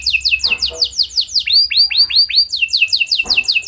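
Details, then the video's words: Lively canary song intended to prompt other canaries to reply. Rapid down-slurred whistles repeat about three per second, switch to lower looping notes, then return to quick high slurs. "Burung Kenari gacor Nembak mantap! Buat Kenar Lain Bakal Langsung Respon Ikut Gacor Panjang"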